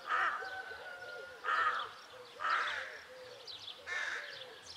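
A rook gives four harsh, grating caws about a second apart, with fainter chirps from other birds behind.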